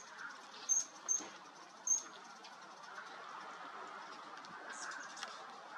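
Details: Rivoli's hummingbird filmed in Arizona, giving three short, sharp, very high chip notes within the first two seconds, then quiet with a steady background hiss.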